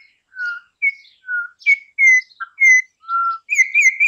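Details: Campo troupial, an imported songbird, in a rarely heard tutor song: a loud phrase of about eight clear whistled notes alternating between higher and lower pitches, ending in a wavering, trilled whistle.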